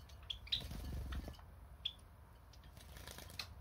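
Java sparrow giving three brief, high, thin chip notes, two close together and one a second later, over low indoor rumble and soft rustling.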